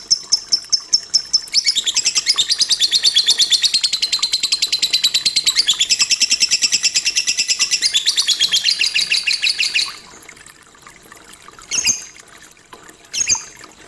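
A lovebird gives a long, rapid, high-pitched chatter of buzzy chirps, then a few sharp squeaks.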